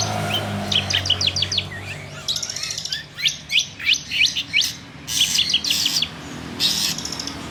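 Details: Caged long-tailed shrike from Banyuwangi singing: rapid sequences of sharp high chips and chattered notes in short phrases, with a low background hum.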